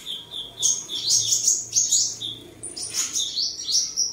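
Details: A tame sunbird from Đồng Nai, Vietnam, recorded 23 July 2022 while singing, dancing and sparring, gives high sibilant trills and squeaky rising-falling notes in a dense, rapid stream.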